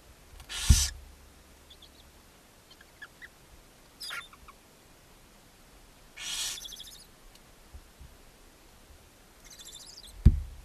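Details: Barn owls at a nest box on a chimney in Ságvár, Hungary, May 4, 2024, filmed by a nest camera while the mother feeds her seven owlets: loud harsh hissing bursts spaced several seconds apart, faint chatter between them, and dull knocks in the box.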